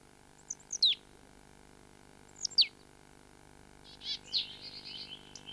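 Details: A Marsh Tit, resident in deciduous woodland in southern Britain, gives its distinctive call: two sharp, explosive sneeze-like notes about two seconds apart, followed by a brief high chattering burst.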